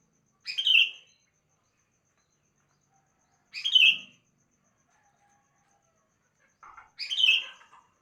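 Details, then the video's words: Morning song of a sooty-headed bulbul: three brief, rich, warbled whistle phrases repeated roughly every three seconds against a quiet background. "Kicauan Burung kutilang Di Pagi Hari"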